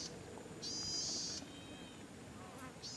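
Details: An Oriental skylark, heard singing after years unheard, gives high, buzzy trilled phrases, a long fizzing burst then a fresh one starting near the end, over a soft murmuring background.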